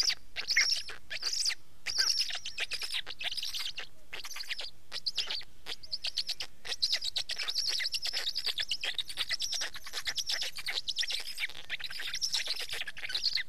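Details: Black stork calling at length: a long series of scratchy, hissing notes with whistled overtones, briefly pausing a few times and then continuing in a busy stream.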